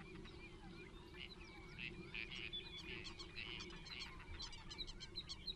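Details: Water rail at Rutland Water Nature Reserve in January 2022 giving a run of shrill, sliding squeals and grunting notes, with sharp ticks near the end, over a steady low rumble.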